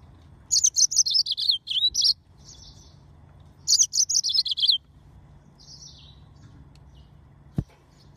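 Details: Yellow-fronted canary singing two quick bursts of high, sweet twittering trills, each about a second long, with softer short notes between them over a faint background hum.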